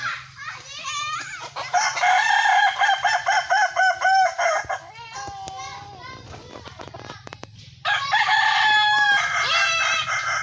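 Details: Kukuak balenggek chicken in a crowing contest: a long crow of about ten rhythmic pulsing syllables, a softer gap with clicks and murmur, then another loud harmonic crow starts.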